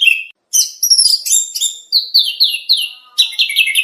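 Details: Kacer, the oriental magpie-robin, singing contest training material: a low whistled note, a short pause, then a tumbling sequence of high, descending slurred whistles and squeaky twitters, clean and uninterrupted.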